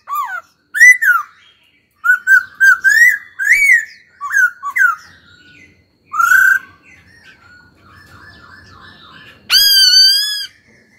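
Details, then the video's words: A caged laughingthrush being trained and stimulated to sing gives rich, slurred whistled phrases in quick bursts, with a loud, strident ringing note near the end; no other sounds. "Khướu hót cực hay"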